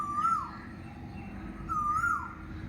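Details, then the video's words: Asian koel calling at Cossipore Udyanbati, a quiet garden in Kolkata, West Bengal, India, around May 30: two clear, mellow whistled notes about a second and a half apart, each rising then wavering, over a low background hum. "কোকিল ডাকছে, কোকিলের আওয়াজ শোনা যাচ্ছে।"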